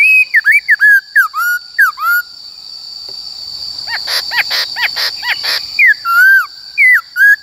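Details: Forest-style white-cheeked laughingthrush song, used for training caged birds: bursts of quick downslurred whistles, a middle stretch of rough buzzy notes, then more sweeping whistles, with a steady high whine.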